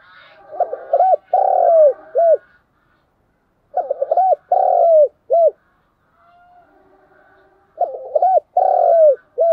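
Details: Captive spotted dove decoy from Vietnam delivering three fight-provoking coo phrases about every three seconds, each with quick looping notes, a long mellow falling coo and a short closing note, faint higher chatter behind.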